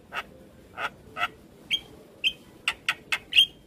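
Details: Young Javan myna giving a quick string of nine short notes, harsh chattery chips mixed with clear high whistles, about two or three each second.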